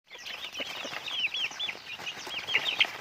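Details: Pet chickens being raised; a flock gives constant high, thin, downslurred peeps, many overlapping in quick succession with no pause.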